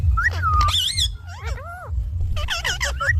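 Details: Indian ringneck parakeet speaking in parrot voice: a drawn-out nasal tone, wavering wobbly syllables in the middle, then a cluster of short choppy notes, with low rumbling background.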